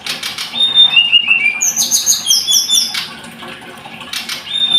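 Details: Scarlet-headed flowerpecker gives a series of thin, pure falling whistles followed by very high twittering notes and trills, then a quieter stretch before another burst.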